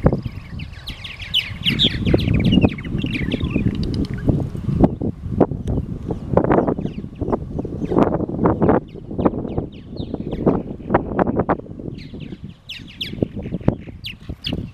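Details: Purple martins at Cape May Lighthouse in May give bursts of gurgling, chirpy notes, loudest at the start and again near the end, over steady wind rumble and faint traffic.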